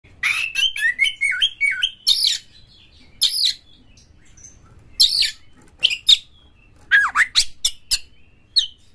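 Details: Caged oriental magpie-robin (kacer) singing loudly, used as a lure to stimulate other caged birds to sing and fight; bursts of varied whistles, sweeping slurred notes and harsh chattering phrases separated by short pauses.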